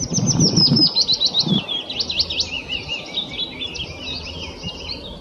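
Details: Wood warbler in full, lively song: a rapid chain of high, sharply descending strokes and short trills that runs without a break, with a few low thumps near the start.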